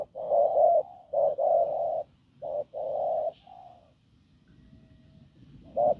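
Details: Spotted dove from the fields, wild-caught, cooing hoarsely and strongly: a few low, throaty coos, the longest nearly a second, then a soft trailing note and a quiet pause before one more coo.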